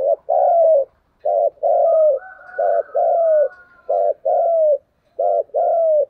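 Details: Decoy spotted dove challenging rival doves with repeated paired coos, a clipped note then a long, slightly falling coo, roughly four phrases in six seconds, with a faint higher coo from another dove behind.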